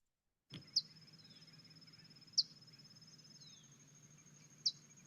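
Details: Rufous-collared sparrow (chincol) in Chile gives its contact call, used for keeping in contact: three short, high, sharp chip notes about two seconds apart, over a steady thin high tone and low background hum.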